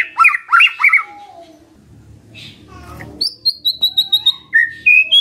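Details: White-rumped shama singing as a lure to provoke a response: harsh chattering notes at first, a quiet gap with low rumbling noise, then a fast series of sharp high whistled notes and short slurred phrases.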